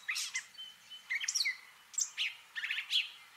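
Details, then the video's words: A Gray catbird (Dumetella carolinensis) sings a rapid, jumbled run of squeaky, whistled and scratchy notes, each phrase different and some mimicking other birds. "Catbird sounds: mimicking & singing song"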